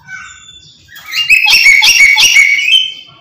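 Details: Black-capped lory screaming without pause: a soft, drawn-out note swells into a loud, grating, rasping screech pulsed several times a second, lasting nearly two seconds before fading away.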